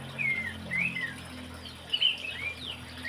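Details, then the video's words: Horsfield's babbler (pelanduk semak, cingcoho) singing actively: short clear whistled phrases, some rising and some falling, given in brief bursts roughly every half second, over a low steady background hum. "PELANDUK SEMAK / CINGCOHO GACOR"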